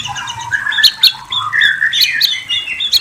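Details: Short burst of white-rumped shama song: a gliding whistled phrase dropping then rising, punctuated by sharp high chips, over a faint low hum.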